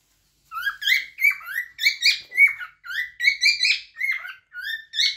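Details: After half a second of quiet, a cockatiel sings a steady string of roughly fourteen ringing whistled notes. The notes alternately rise and fall, each with strong overtones.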